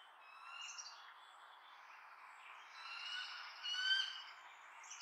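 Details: Bald eagle mother at the Redmond nest area calling to her juvenile offspring soaring above; drawn-out squealing notes with layered overtones, swelling to a louder, sharper cry near the end, soft hiss behind.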